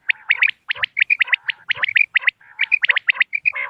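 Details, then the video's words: Common quail sounds for hunting on moonlit nights, recorded November 2025: dense, almost unbroken run of quick high chirps grouped in short bursts, with faint lower buzzy notes underneath. "بٹیر کی آواز چاندنی رات کیلئے quail bird sounds for hunting common quail bird bater"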